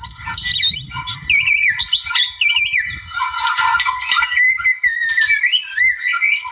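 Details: Wild-type white-rumped shama singing energetically to draw out a rival, a continuous run of varied whistles with rapid up-and-down slides and wavering high notes, some lower fluty phrases, light low rumble underneath.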